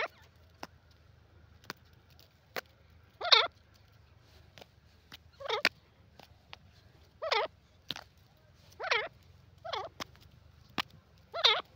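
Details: Grey francolin calls repeated every one to two seconds as short, harsh, wavering bursts, with regular sharp clicks and a quiet low-frequency hum behind.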